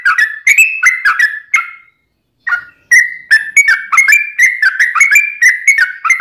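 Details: Yellow-vented bulbul in ropelan song for training and luring wild birds: rapid whistled warbles, a half-second gap, then a resumed fast, even run of liquid notes.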